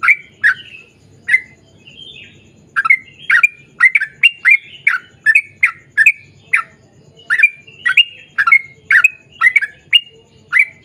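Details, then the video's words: Sooty-headed bulbul in vigorous 'ropel panjang' (long rapid) song, played to lure other birds to sing. Short, sharp, slurred notes come in quick bursts about every half second, with a faint low hum beneath. "KICAU SUARA trucukan gacor ROPEL PANJANG"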